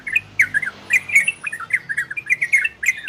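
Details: Singing orange-spotted bulbul, ropel and garudo styles, used to prompt breeding condition in listening birds; spaced, clear whistled chirps in short twos and threes, slurred downward, with a faint high ticking and low hum.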